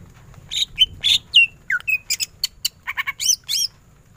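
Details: Cucak ijo, a greater green leafbird, singing actively in tembakan ngentrok style. A dense run of sharp chirps and short whistled slurs follows in quick succession, ending with rising buzzy notes, over a low rumbling background.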